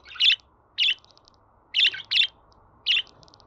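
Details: Pet budgerigar chirping, meant to be played to other budgies to get them singing: five short, harsh, buzzy chirps, two of them in quick succession, over a quiet background.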